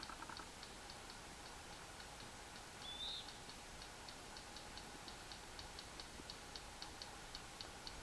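Yellow Rail giving faint, dry, high clicks in steady groups of two and three, like pebbles tapped together; a brief rising whistle from another bird cuts in once.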